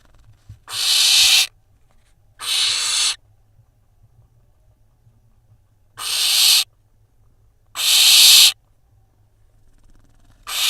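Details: Barn owl nestlings on a nest camera in Israel, 3 June 2021, the youngest preening its sibling, from a brood hatched in April. Harsh, broadband hissing bursts, each under a second, come five times with quiet gaps between.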